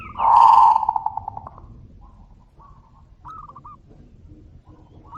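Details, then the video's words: Zebra doves answering each other: a loud, rolling coo trailing off into fading pulses, then softer distant replies of short trilled notes. A low background rumble throughout. "suara panggilan burung perkutut - saut sautan"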